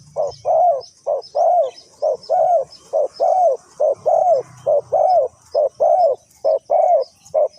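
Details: Steady run of Spotted dove coos during decoy trapping in Ninh Thuận, short and long low notes alternating rhythmically for the whole stretch, roughly one phrase per second, with faint high-pitched insect noise above.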